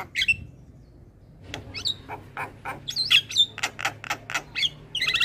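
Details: Black-winged starling training song: a quiet gap, then a rapid series of harsh clicks and squawks punctuated by bright whistled slurs, roughly four notes a second.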